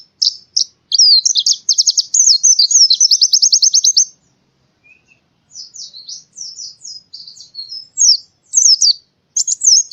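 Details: White-eye song in a forest-like style, used as training audio for cage birds in Central Java, Indonesia: rapid, high, clean chattering trills and twittering phrases, a fast repeated series, a pause, then scattered bright whistled notes.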